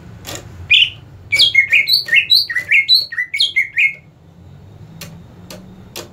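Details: Greater green leafbird, a caged songbird deemed ready for competition, delivers a lively string of about a dozen bright slurred whistles in under three seconds, alternating high and low, after a lone introductory note.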